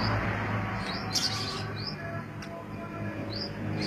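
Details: A Medan-type white-rumped shama, in the morning with its cage placed next to a prospective mate for pairing, gives short, high, upslurred chirps every second or so, over a steady low hum and background noise.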